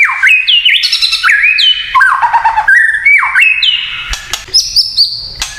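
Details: Kretekan song of a white-rumped shama, meant to stir other shamas into responding, loud and dense: rapid looping whistled phrases, hooked downslurs and high ringing notes packed closely together, with occasional knocks in the background.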